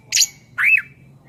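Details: Greater green leafbird, a tutor recording for training songbirds: two brief notes, first a buzzy high burst, then a clear whistle that rises and falls, with a faint steady hum behind.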